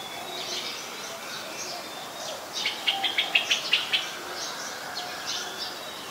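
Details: A Streak-eared Bulbul in Ubon Ratchathani, Thailand, on 20 January 2021, gives a quick run of about eight sharp, bright chirps in just over a second, with softer scattered notes before and after.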